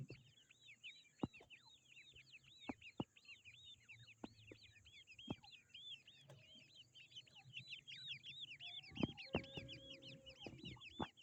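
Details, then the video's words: Grey francolin chicks calling continuously: a dense stream of high, thin, arched peeping notes, rapidly repeated, with scattered clicks and knocks and a low hum underneath. "Grey francolin baby | Teetar chicks"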